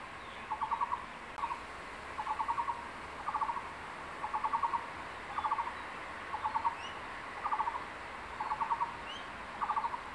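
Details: Crested goshawk male at a secondary-forest nest site calling the female to lunch after catching a tree lizard: about ten quick rattling bursts of even, clipped notes, evenly spaced, with occasional faint high whistles of other birds.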